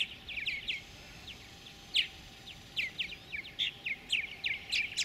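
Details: Nestling purple martins being fed in a gourd nest near Lacombe, Alberta, Canada, during 2017; rapid sharp chirps and short scratchy notes, roughly one a second, uneven in rhythm, over background hiss and a faint hum.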